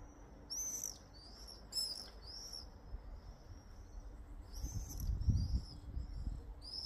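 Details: Common swifts (Apus apus) in a garden: several birds give overlapping high, thin screaming calls in short bursts, against low rumbling background noise.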